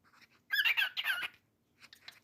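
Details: Pet cockatiel chattering in a burst of harsh, warbling squawks that lasts under a second. Faint softer chirps come before and after, and a person greets the bird nearby.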